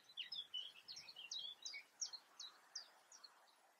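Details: European crested tit in the Eifel, Germany: a quick rattling sequence of high, down-slurred notes, dense at first, then slowing into separate sharp chirps, with faint hiss behind.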